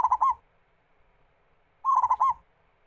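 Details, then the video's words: Local zebra dove song meant as a lure so other doves start singing: two short phrases of fast, bubbling, staccato coos that roll into a brief trill, separated by about one and a half seconds of near silence. "PERKUTUT GACOR MEMUKAU LAWAN"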